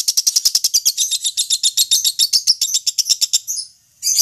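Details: Contest-trained lovebird delivering a rapid, high-pitched chattering series of chirps, several per second, that runs for about three and a half seconds, breaks off into a short silence, then resumes abruptly.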